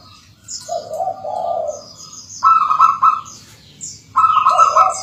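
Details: Local zebra dove singing as a lure for training other doves: three warbling coo phrases, the first lower and longer, then two that start higher and drop, with faint high chirping of other birds throughout.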